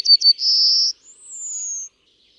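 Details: Yellowhammer ending its song: two short clipped notes, a sustained buzzy note, then a higher, thinner drawn-out note falling gently in pitch. Clean and quiet background.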